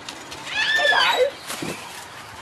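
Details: Captive-bred macaw at a sanctuary, one of a playful blue and gold and greenwing pair, utters a short raspy, speech-like phrase with arching warbled tones, followed by a brief quieter sound.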